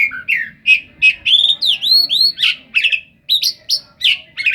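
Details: Oriental magpie-robin singing a mimicry-rich song with cetdet fills: loud clipped chirps, then a run of arched looping whistles, followed by sharp rising notes repeated roughly every half second.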